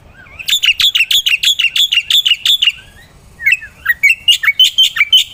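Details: Vigorous song of a black-winged myna, used to tutor other songbirds: a quick string of ringing chips, a brief pause, then rising slurred notes breaking into more rapid chatter.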